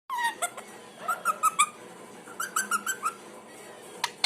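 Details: Pet parrot making various sounds indoors: short warbling, squeaky notes in quick clusters, a pause, then another run of wavering chirps and a final sharp squeak.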